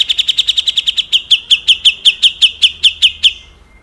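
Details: Fast rough trill of a grey-cheeked bulbul, clean 'besetan kasar' master for training cucak ijo and murai batu: around seventeen clipped, buzzy notes, very quick at first, then slowing and fading out.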